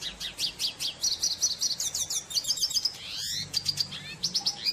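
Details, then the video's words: Red siskin singing at length in the wild: a fast, unbroken twittering run of high chirps and short sweeping notes, then a buzzy rising slur and further quick chirped phrases, over a faint low hum. "PITASSILGO DA VENEZUELA CANTANDO MUITO NA NATUREZA - CANTO DO PINTASSILGO VENEZUELANO"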